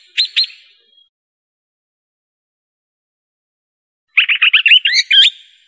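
A swift parrot gives one brief high chirp, then after a pause a quick run of about eight sharp, metallic notes over one second; otherwise silent.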